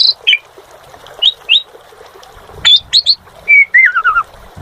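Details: Asian pied starling singing energetically (gacor): spaced sharp whistled chirps, then a quick cluster of notes and a clear whistled phrase that falls in steps.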